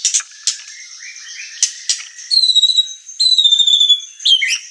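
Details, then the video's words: White-rumped shama, a singing murai batu used as a training and provoking song, giving clicks and short notes followed by long clear whistles sliding down, some held high and steady, with a final burst of sharp notes. "Pancingan emosi dan masteran murai batu gacor | shama bird singing"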